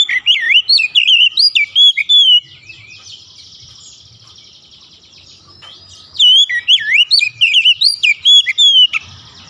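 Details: Lure song of a white-rumped shama for prompting other shamas to sing: two energetic bursts of varied whistled and warbled notes, fast and uneven, with a steady hissing hum filling the pause between them.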